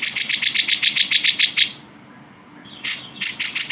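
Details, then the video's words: Grey-cheeked bulbul song used to train other songbirds: a fast series of buzzy, rasping notes repeated several times a second, a short silence, then more harsh bursts. "masteran suara burung cucak jenggot"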